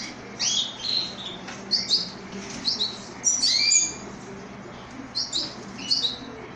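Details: Orphaned young canary whose mother has died, kept as a pet: high, thin chirps and short squeaky notes in bursts, irregularly spaced, with a few rising whistled slurs and a quiet room hum beneath.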